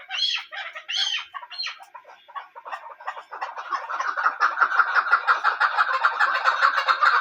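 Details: Female hunting chukar: a few louder rising squawks open, then a building run of fast, rough clucking notes grows steadier and stronger toward the end.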